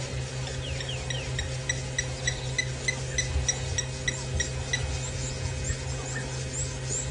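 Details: Blacksmith lapwing calling in the background during a sunrise safari drive at 8:00 am, 15 March 2018, Djuma Game Reserve, Sabi Sand, South Africa: sharp metallic 'tink' notes, several a second, over a low vehicle engine hum.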